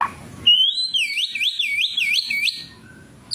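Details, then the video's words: White-rumped shama, a fighter bird song used to provoke emotion and as a master tutor: a clear whistled phrase, a long rising note followed by a rapid wavering warble of about five loops, ending abruptly. "PANCINGAN SUARA BURUNG MURAI BATU GACOR"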